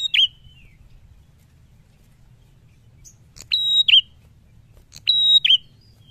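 A prinia gives loud, piercing phrases: a steady high whistle that ends in sharp, dropping notes. The phrases repeat every one to two seconds against a faint low rumble.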